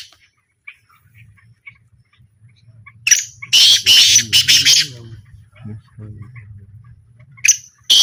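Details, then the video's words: Black francolin in a calling trial: after quiet low humming, a loud, harsh, broadband burst of rasping, stuttered notes runs for about two seconds, followed by scattered softer sounds and a sharp final note. "A Small Trial Of Black Francolin"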